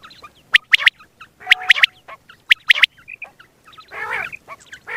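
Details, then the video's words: Single male quail, morning and night calling for hunting: two clear bursts of three sharp whistled notes about a second apart, short clicks between, then one broad, harsh rasping call near the end. "Batair ki single awaz single male Quil beautiful sounds morning and night hunting بٹیر کی سنگل آواز"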